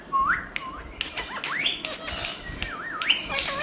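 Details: Green talking parrot mimicking speech with rising whistled glides, quick clicks and wavy warbling phrases in rapid succession.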